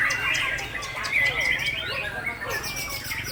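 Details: White-rumped shama kept as a breeding parent bird, delivering nonstop song. Fast run of sharp chirps and thin high whistles, with ringing notes repeated several times a second and a low background hum.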